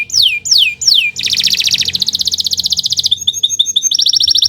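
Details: Canary, singing as a tutor for other birds, gives three descending sweeping whistles followed by a long rapid buzzy trill, a run of short chips, and another fast trill.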